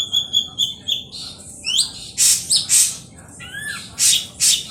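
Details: Ashy drongo lure song: clear level whistles open, followed by rising slurred whistles and several loud, rasping, broadband calls in quick succession, with a falling whistle near the end.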